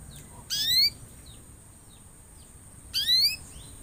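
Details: Canary in full song, used as a lure to get other canaries singing: two short bright phrases of rising, sweeping whistled notes about two and a half seconds apart, with quiet pauses and a steady high electronic whine behind.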